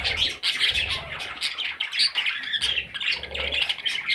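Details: Brief stretch of parrot chicks chattering: crowded, harsh squeaks and squawks with a faint flutter and low thumps beneath.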